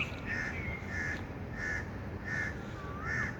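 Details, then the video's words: A bird calling outdoors gives five evenly spaced, harsh cawing notes, about one every 0.7 seconds, over a constant low background rumble. "birds chirping sound"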